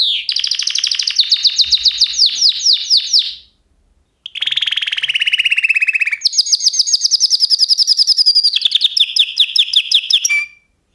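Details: Canary pours out long rapid trills at changing pitches, broken by a short silence, then resumes with sustained buzzy rolls and a final steady trill.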